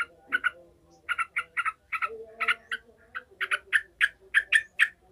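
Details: Yellow-vented bulbul in an agitated, emotional state, its sound used to train other bulbuls' fighting mentality: bursts of short harsh chattering notes, single and paired, repeated rapidly over a low steady hum.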